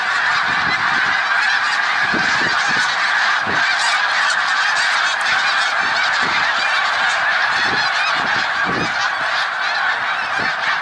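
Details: Thousands of voices from snow geese at Middle Creek Wildlife Refuge, Pennsylvania, on 1 March 2021, an intense, unchanging barrage of honking with scattered low knocks throughout.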